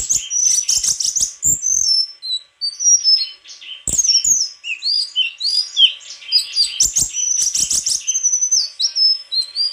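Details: Continuous lively song of a White-throated flycatcher, a dense stream of high chirps, slurred whistles and trills, with faint low clicks in the background.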